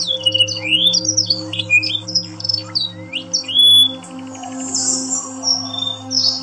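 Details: Canary training song from a Yorkshire canary: quick sweeping whistles and chirps, a clear sustained whistled note near the middle, then a buzzy rasping passage and scattered high notes, steady hum underneath.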